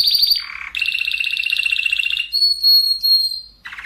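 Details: Spanish Timbrado canary song meant for training other canaries, tight rolling delivery: fast trilled rolls at varying pitch, shifting into a long clear metallic whistled tone, then another rapid roll.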